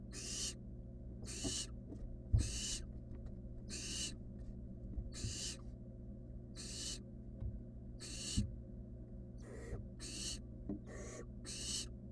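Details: Barn owl chick near a rabbit keeps up a series of about a dozen raspy hisses, each under half a second, repeated roughly every second, with light taps and low background hum.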